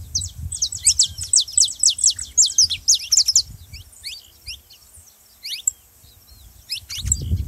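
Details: Saffron finch singing, used to stir a quiet canary into song: fast runs of high, sharp, down-slurred chirps repeated about twice a second, then a pause and a brief closing burst, with low rumbling background noise.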